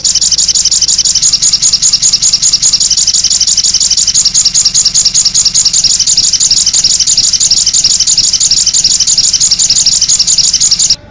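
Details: Long, unbroken, very high trill from a sogok ontong lure and master track with konin sounds mixed in. The rapid, even pulses go on for about eleven seconds before stopping abruptly.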